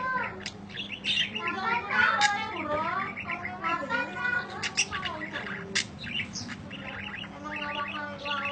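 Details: A budgerigar gives continuous chirping meant as training material: busy, speech-like warbling of buzzy notes, quick clicks and sliding whistles, peaking around the middle, with a low background hum throughout.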